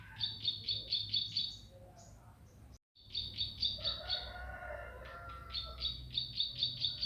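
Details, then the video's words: Intense bar-winged prinia song of quick, sharp, high-pitched doubled notes in even runs. A short cut interrupts it, lower warbled phrases intervene, and then the rapid runs return over a low hum. "Masteran Burung Ciblek Pari Gacor"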